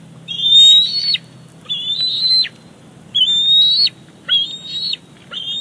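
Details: At Big Bear Lake, a bald eaglet squees for the fish his mother carries in, 28 July 2019. Five high, slightly wavering whistled notes about a second apart, the first one loudest.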